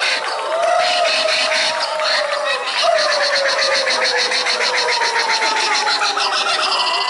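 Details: A female laughing kookaburra, Shiela, performing at the New York Renaissance Faire on a September day, is coaxed into a rollicking, rapidly pulsed cackle that rises and carries for several seconds, amid audience applause, cheering and laughter.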